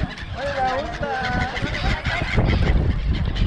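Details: A flock of seagulls at Songdo, Busan, South Korea, near people offering them food, gives wavering, nasal mewing calls that rise and fall, several overlapping, over a heavy low rumble of engine and wind.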